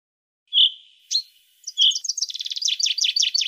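A European goldfinch sings, opening with pure whistled notes, then launching into a fast, tinkling run of high, buzzy twitters repeated in quick succession.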